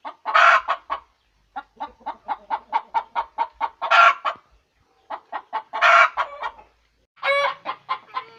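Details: Hen cackling after an egg: loud squawks alternating with rapid trains of even clucks, ending in a raspy squawk cluster.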